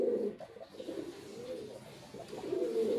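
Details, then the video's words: Soft, low coos from a male white pigeon at the start and end, under a steady hiss of room noise. "Pigeon🕊️ Sound Effect"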